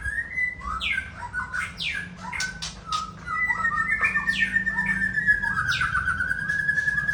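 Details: Murai Aceh white-rumped shama, 'sembur isian' song: choppy whistles and scratchy notes at first, then one long, steady, slightly wavering whistle that is held for about three seconds.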